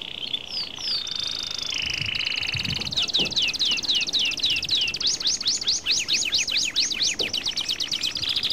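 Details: Carduelis carduelis, the European goldfinch, sings high liquid notes that open into a long series of fast, evenly spaced down-slurred chirps, growing more buzzy and hurried toward the close.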